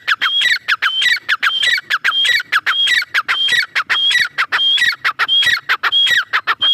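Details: Female grey francolin calling continuously: loud, repeated squealing notes, each a bright whistle dropping into a harsh rasp, roughly one to two per second in a steady rhythm throughout.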